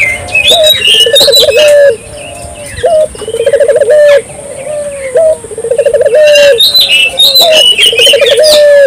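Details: Vigorous dove calling played to stir local doves into calling. Low purring trill runs into a long steady coo, repeated roughly every two and a half seconds, while small birds chirp and whistle higher up.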